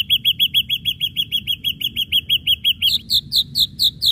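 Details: Ashy drongo singing vigorously in a 'pancingan' lure recording with sharp strikes: a fast, steady run of short, clipped whistled notes, about two per second, that jumps to a higher, slightly slurred note series near the end.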